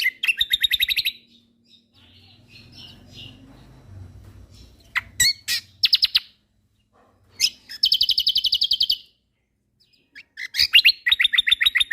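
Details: Lombok kecial kombok white-eye singing actively, used to train songbirds: repeated fast trills of bright high chips, broken by sharp, scratchy bursts and brief pauses across the passage.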